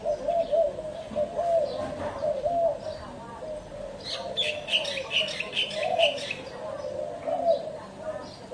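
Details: Low, mellow cooing from a spotted dove repeats through the recording, while a burst of high, rapid chirping from another bird joins in midway.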